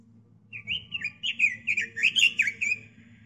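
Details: Robin kept as a pet songbird, master-song recording for training other birds: a chattering, warbled phrase of about ten quick notes bouncing up and down in pitch, over a steady low hum.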